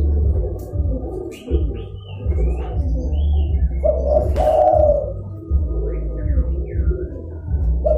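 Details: Zebra dove lure call used for catching wild doves: one warbled coo phrase partway through, a quick lead-in note then a longer rolling trill, set over persistent low hum with scattered chirps from other birds.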